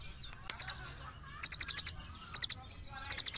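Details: Little birds calling to each other: four bursts of rapid, high, sharp chirps, each of three to five notes, with soft twittering from other birds between them.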